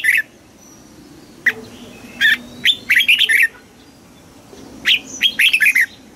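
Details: Red-whiskered bulbul in contest-style singing, trained to sing with double notes in a wild-sounding voice: short bright chirps, then quick runs of clipped whistled notes in two bursts separated by a silent pause.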